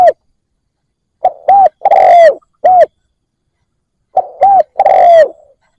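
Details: Spotted dove used as a decoy, calling to draw in wild doves. It gives clear hollow cooing phrases of short notes and a longer downslurred coo, repeated after silent gaps.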